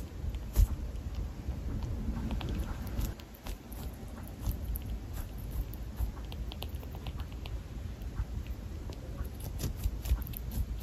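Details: Tiny Java sparrow chewing as it eats, a steady patter of fine, crisp clicks and nibbling crackles continuing throughout, with a few louder snaps, over a low indoor background.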